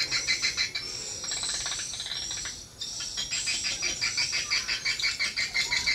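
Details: Rapid, evenly pulsed high chirps, about three per second, mix with twittering as swiftlets respond to a lure sound at a small swiftlet house.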